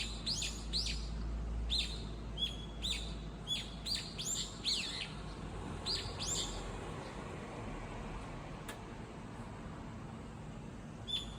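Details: A lone bird calling frantically while moving back and forth among four or five nearby spots, perhaps calling its companions; harsh, high chirps in irregular bursts of two to four, with steady low background rumble.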